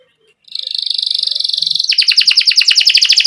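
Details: Canary singing vigorously to train young birds: a high, even buzzing trill of over a second gives way to a faster, pulsing series of sharp repeated notes.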